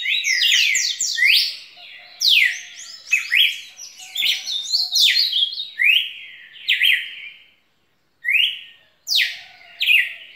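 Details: Red-cowled cardinal singing a long bout of loud, clear whistled phrases, each sweeping steeply up then down, in rapid close series with a few short pauses near the end; no other sounds intrude.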